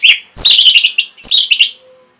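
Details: Caged orange-headed thrush (anis merah) in lively song used to prompt other birds into singing: dense, rich warbling phrases of rapid high chirps and whistles in two bursts, ending in a faint thin tone.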